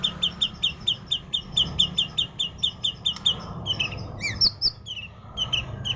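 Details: Murai bird giving its kuntilanak-style song: a fast run of short, clipped high notes, about five a second, breaking into varied sharper chirps near the end, with constant low background noise.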